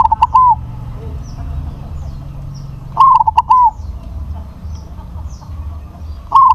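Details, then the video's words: Crossbred zebra dove with a strong voice repeats its rolling coo about every three seconds, three phrases of quick clipped notes each ending in a longer falling coo. Faint chirps can be heard in between. "PERKUTUT CROSSING SUARA BESAR"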